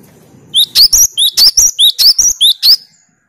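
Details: Cinereous tit in 'tembakan' style, a song used to challenge rival birds: ten crisp, high whistled notes evenly spaced over two seconds, each a quick up-slurred double, against a faint low rumble.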